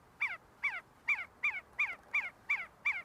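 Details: See-see partridges in a group feeding and fighting on the grounds of the University of Sulaimani, Kurdistan; a sharp, downslurred call repeated steadily, about eight notes in three seconds, over a quiet background.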